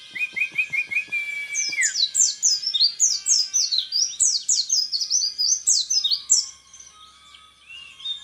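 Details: Orange-headed thrush, a hopeful contest champion, singing 'tembakan repet': a few short repeated chips and a long whistle, then a fast volley of high, down-slurred notes about four a second, ending in quieter soft notes.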